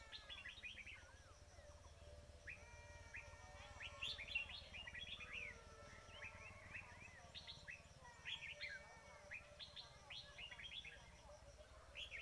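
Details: Lure recording for trapping red-whiskered bulbuls, with several overlapping birds giving lively chirped and whistled phrases, many sliding notes, continuous over twelve seconds against a faint high buzz.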